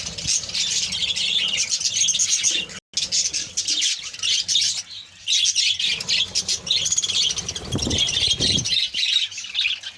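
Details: Many budgerigars in a kept colony chattering steadily, scratchy warbles and chirps layered thickly, broken by a brief silent gap early on and some low thumps late.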